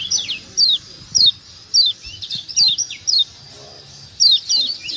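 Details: Kecial kuning from Lombok, a white-eye, used to provoke silent birds into calling: separate high slurred chirps about every half second, some in pairs, with soft low thumps and murmurs behind.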